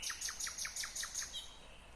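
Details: Nightingale singing in Kyrgyzstan in 2020: a rapid series of about seven repeated notes, each pairing a high ringing tone with a short descending slur, delivered in roughly 1.2 seconds, then a single higher drawn-out whistle as the phrase fades.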